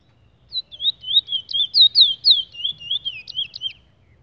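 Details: Song of a brown bullfinch from Trinidad: a fast chain of bright, slurred whistles, some rising and some falling, lasting over three seconds before stopping, with only soft low background noise.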